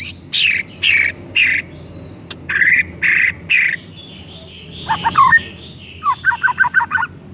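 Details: White-rumped shama song played as a lure to set another shama singing: loud harsh rasping bursts in a quick series, then a short liquid warble and a fast run of repeated bright chirped notes.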